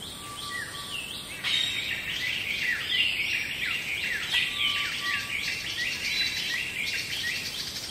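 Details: Black bulbul (Hypsipetes leucocephalus) giving busy, varied calls: rapid chirps and slurred notes rising and falling, tumbling together with little pause, over a faint steady hum and background hiss.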